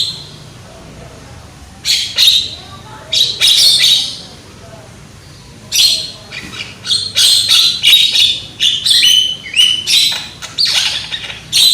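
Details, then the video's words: Young Javan myna with a loud voice, singing in rapid bursts of harsh, buzzy chatter and grating squawks, broken by pauses, the bursts growing denser and nearly continuous in the second half. "JALAK KEBO MUDA SUARA KERAS"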